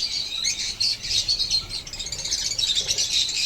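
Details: A steady, shrill twittering from pet blue opaline and parblue opaline lovebirds in Pakistan, with overlapping high chirps packed closely together throughout.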